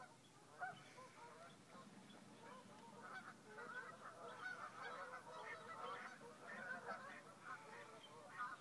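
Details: A flock of geese flying over a misty, cold, frosty marsh at Crab Meadow at Sunday sunrise, 11-4-2011. Dense overlapping honks from many birds run continuously, rising and falling in a busy chorus.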